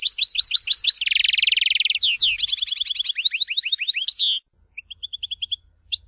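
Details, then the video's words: Tizi Ouzou style song of a European goldfinch from Algeria: continuous rapid high trills, a buzzy rolling stretch, then cascades of downslurred twitters before a pause and a few spaced chirps. "تغريد حسون تيزي وزو (كامل المقامات)"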